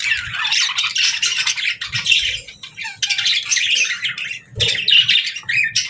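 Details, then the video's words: Pet budgies chirp in bursts of warbled, buzzy twittering separated by brief lulls, several birds calling at once. "Budgies Chirping"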